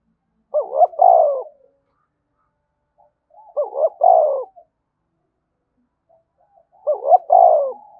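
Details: Vigorous 'thúc bổi' coo of a spotted dove, said to make other doves start cooing: three evenly spaced phrases roughly every three seconds, each a short rising double note then a deep falling hoot.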